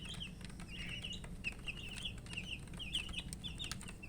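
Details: Baby chickens calling for drinking water as they eat; scattered clear, downslurred peeps in small groups over a steady low rumble, with occasional clicks.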